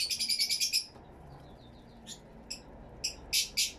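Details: Fischer's lovebirds in an aviary, recorded on camera with two external microphones: a quick series of piercing high chirps for under a second, then scattered single sharp squeaks spaced roughly half a second apart.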